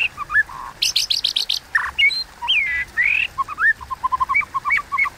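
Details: White-rumped shama giving provoking fighting song (hót đấu, kéo thuốc lào style): varied clear whistles, slurred rising and falling notes, bursts of rapid high buzzy clicks, and a run of short repeated low notes at the end.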